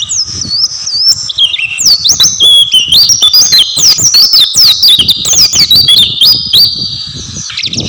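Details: Oriental white-eye singing energetically: rapid, unbroken high twittering warble of quick rising and falling whistled phrases, densely packed and loud, with faint low background noise beneath.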